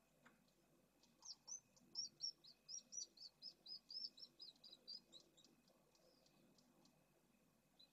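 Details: Pallid swifts at a nest colony inside a drum at Esclavas de Jerez, Jerez de la Frontera, Spain, in 2022, with eggs and well-grown chicks: a run of about fifteen thin, high, upslurred chirps, roughly three per second, then fading.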